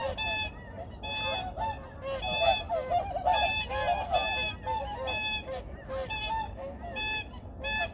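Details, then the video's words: Various migratory birds on Junam Reservoir in Changwon at early morning, 2019: distinct, resonant honks spaced about one a second, plus a denser cackling flurry midway, over a steady murmur of distant birds. "창원 주남저수지 철새소리"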